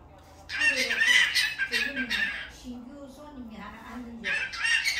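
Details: Pet cockatiel kept at a mother's home, its voice said to sound like a human voice: hoarse, harmonic squawks with wavering tones, in bursts over about two seconds, a pause, then another raspy burst.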